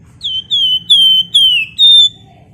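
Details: Flamboyan bird in full lively song, a style meant as a lure for other birds: five clear, loud, drawn-out whistles, each slurring slightly downward, given in quick succession against a low steady hum.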